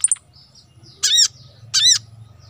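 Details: Crimson sunbird (sogon) in a recording meant to excite rarely singing birds: two loud, harsh squawking calls about two-thirds of a second apart, each a short ringing note, over a low steady hum.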